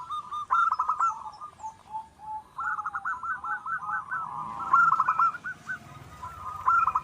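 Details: Zebra dove, a wild local bird singing eagerly for use as a lure: repeated phrases of fast trilled coos at an even pitch, rising and falling in loudness across several bursts.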